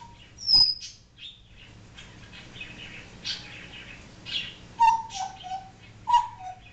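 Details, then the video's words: Indoor pet African grey parrot that talks and mimics barking and other noises, giving a high squeak, soft chattering clicks, then paired short whistled notes that dip slightly in pitch near the end. "African Grey talking and making sounds"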